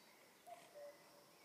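A common cuckoo gives a single soft, hooting two-note cuck-oo, the second note lower and longer, over a faint background hiss.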